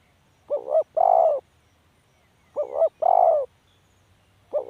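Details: Spotted dove calling rhythmically: a brief quavering double note followed by a long throaty coo, repeated about every two seconds, with the start of a third phrase at the end.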